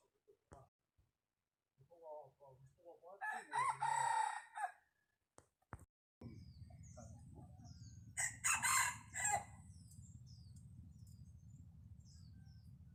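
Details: Decoy junglefowl cock crowing twice: each crow is a raucous, buzzy, drawn-out call with a faint stuttering lead-in. Steady low rumbling noise runs under the second half.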